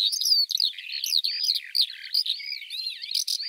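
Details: Eurasian Skylark singing a dense, continuous stream of rapid warbled and trilled notes, high and varied, with short buzzy and whistled slurs running without pause.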